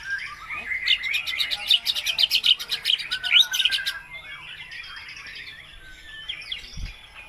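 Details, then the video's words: Lively white-rumped shama singing a full set of borrowed phrases from other birds, meant to prompt other birds to sing along; a rapid burst of sharp clicking, ticking notes for three seconds, then softer warbling. "PANCINGAN MURAI BATU GACOR MATERI FULL ISIAN BURUNG LAIN LANGSUNG NYAUT IKUT GACOR"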